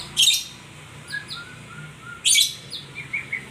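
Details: White-rumped shama song: two strong buzzy high bursts separated by a run of soft, clear whistled notes, some falling in pitch, ending in brief chirps.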